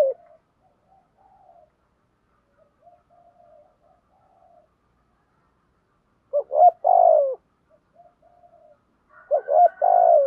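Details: Spotted dove calling in the morning to challenge rivals: faint soft coos at first, then two louder low phrases near the end, each short notes followed by a drawn-out coo.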